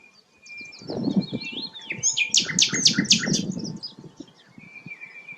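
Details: A rare flycatcher, the sikatan londo, sings thin whistles and a burst of rapid high chips over a steady low rumble.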